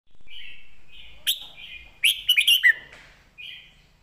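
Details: Caged red-whiskered bulbul singing a clear southern-style master song used to train other caged birds: soft drawn-out warbles lead into one loud, bubbly phrase of quick whistled notes around two and a half seconds in, then a soft warble closes.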